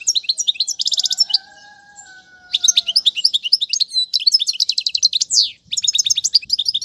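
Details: European goldfinch song meant to teach young birds: bursts of quick liquid twitters and rattling trills, broken by a pause with two faint steady low tones, then rapid chirping resumes.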